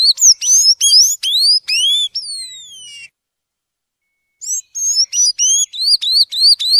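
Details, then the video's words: A tanager sings its "violin" song, offered for training or warming up other birds: a fast series of high, thin, upslurred whistled notes, about three per second, with a drawn-out falling note and a brief pause midway. "Sanhaço Canto Violino"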